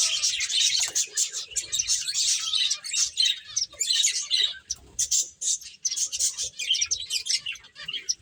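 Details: Finches at play give a lively chorus of quick, high twittering chirps that rise and fall in loudness.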